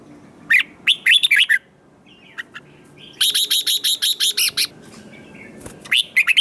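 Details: Red-whiskered bulbul, newly caught from the wild, in competitive song: choppy rising whistled notes, then a fast even series of about a dozen sharp chirps, followed by scattered bright notes.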